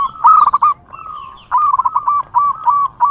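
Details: Wild local zebra dove in full song: a fast staccato string of short cooing notes at an even pitch, broken by brief gaps, then a second similar run of rapid coos.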